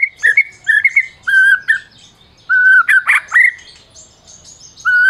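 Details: Song of a Medan white-rumped shama, a caged prize-winning bird, used to provoke mute shamas into singing: clear flat whistles and slurred notes interrupted by harsh chattering bursts, with short pauses between phrases.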